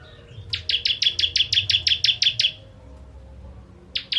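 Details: Ciblek, the bar-winged prinia, singing its 'kristal tembakan' style meant for tutoring other songbirds: one quick burst of about twelve dry buzzy chips, a pause, then the next burst starting.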